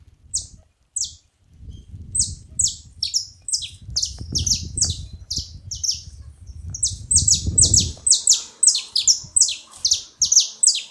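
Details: Several saffron finches calling together: dense bursts of sharp, high, downward-sliding chirps, often overlapping and repeated more than twice a second, over a soft low rumble of background noise.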